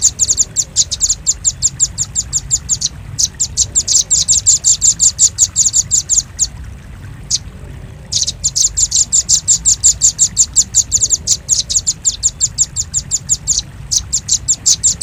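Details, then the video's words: Lure recording of a velvet-fronted nuthatch: sustained fast series of high, sharp chips in long runs, separated by two brief pauses, with a faint low background hum. "Suara pikat burung rambatan paruh merah paling ampuh"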